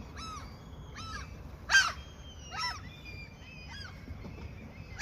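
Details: Seagulls in their territory, offered food by a fisherman, utter spaced, drawn-out mewing cries about once a second, one louder sharp squawk in the middle, over soft background rumble.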